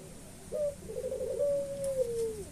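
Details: White dove singing actively: one coo opening on a short high note, breaking into a wavering, trilled middle, then a long steady tone that slides down at the end, in a quiet room.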